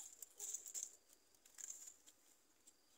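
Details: Yellow-vented bulbul chicks, trying to swallow worms during feeding, give thin, very high, hissing squeaks in two short bursts, with faint clicks and rustling around them.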